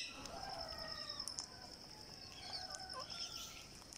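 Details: A green parakeet chick, 49 days old, begs while being fed with fast, squeaky chattering notes and a steady high, thin whine running underneath.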